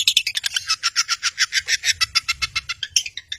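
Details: Long-tailed shrike in full song, used as a rival-provoking bird to get silent birds singing: a fast run of harsh, buzzy chattering notes, about three or four per second, steady and high-pitched, with a faint low hum underneath.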